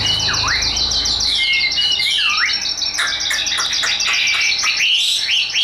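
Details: Hand-tamed Chinese hwamei in a cage, prized for fighting contests, singing high and continuously: dense bright whistled trills with deep swooping dips and rapid chattering notes.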